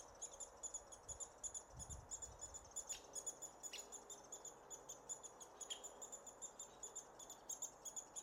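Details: American Three-toed Woodpecker nestlings being fed near Willow, Alaska, in June keep up a thin, high, rapid chorus of squeaky begging chirps, with a few sharp clicks and taps mixed in.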